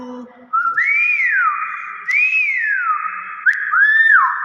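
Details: Nias hill myna giving three loud whistled slurs in a row. Each rises to a peak and then glides down, over a steady, heavily echoing drone.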